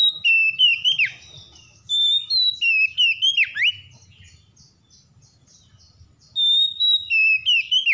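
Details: Oriental magpie-robin (kacer), a stressed bird provoked into singing, delivers repeated bursts of rich whistled phrases with falling slurs and sharp downward sweeps, about three notes a second, separated by a quiet gap before resuming.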